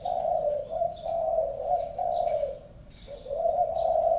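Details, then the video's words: A favoured spotted dove cooing loudly and continuously in low, rolling, slightly wavering notes with a brief pause before the last phrase; faint chirping from other birds behind. "burung tekukur andalan"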